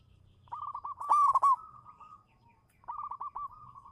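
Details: Local zebra dove (perkutut lokal) used as a lure bird, singing manggung: soft repeated coo notes lead into a loud rolling trill, followed by a sustained tone, a pause and another run of soft coos.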